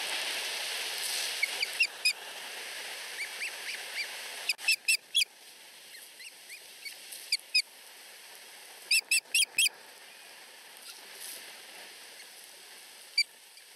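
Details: Two osprey chicks less than a week old at a nest in Finland compete for food from their mother, begging with sharp, high chirps in short bursts of two to four notes, well spaced, over a soft steady hiss.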